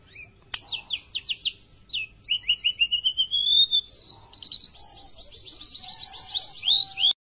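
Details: Tame golden-bellied gerygone singing actively: short high chirps lead into fast repeated whistled notes that climb in pitch and merge into a sweet, rapid trilling sequence, with a faint low steady tone toward the close.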